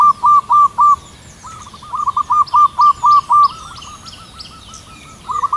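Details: Wild local zebra dove in long, energetic morning song high under white clouds in cool air: a rapid run of many short, clear cooing notes, loud then softer, then loud again, with high chirping from other birds above.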